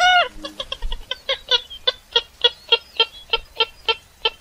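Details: Purple gallinule (kalim), a lure call for bird hunting: a harsh rising note, then a steady series of clipped nasal cackles repeated about four times a second, growing louder and more even.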